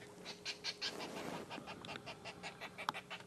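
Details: Lilac-breasted rollers at sunrise on July 14, 2016, sounding agitated, possibly competing with purple rollers for food near a possible nest, give harsh, rasping squawks, about three a second in uneven bursts, with a faint hum and brief murmur of voices.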